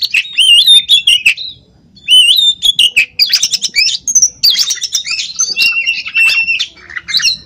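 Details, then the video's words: An uncaged oriental magpie-robin in Pemalang, Central Java, Indonesia, sings loud, varied phrases of clear whistles, slurred rising and falling notes and brief buzzy trills, with short pauses between bursts. "Burung KACER G4C0R"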